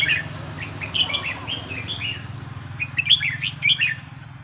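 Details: Red-whiskered bulbul at a practice session on a free day, giving scattered short whistled notes and brief warbles, fairly faint over a steady low hum.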